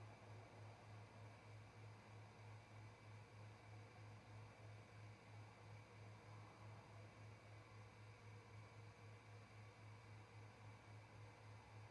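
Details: Only a faint, steady electrical hum and low background hiss are heard, with a brief click at the very end.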